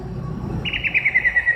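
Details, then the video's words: Greater green leafbird from Indonesia, recorded 29 January 2021: a brief fluttering trill of clear mid-high notes, gently descending, preceded by low background rumble. "The chirping of the green cacak from indonesia/Burung cucak ijo"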